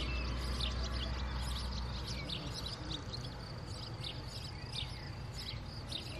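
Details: A female house sparrow bringing food gives short, bright chirps repeated in quick, uneven succession over a steady low rumble of background noise.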